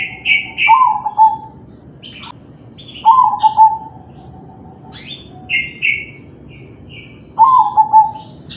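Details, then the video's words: Singing crossbred zebra dove of the kalung tempuk line, recorded as a prompt for other doves. Three repeated phrases, each opening with raspy high notes and ending in a mellow, wavering low coo, spaced about three seconds apart. "Suara perkutut crossing manggung"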